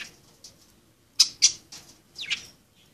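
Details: Budgerigars playing: two sharp high chirps in quick succession, then a rough warbled call sweeping downward, with softer faint chirps before.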